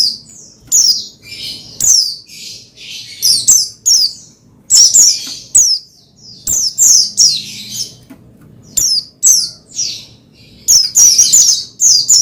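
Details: Pleci (Oriental white-eye) singing continuously to stir another pleci into song: dense, high-pitched chirps and descending twitters in rapid clusters, brief gaps, occasional scratchy notes.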